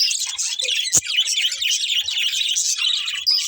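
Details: Budgerigars chattering, continuous high warbling and chirps with a few sharp whistled squeaks, and one sudden loud click near the start.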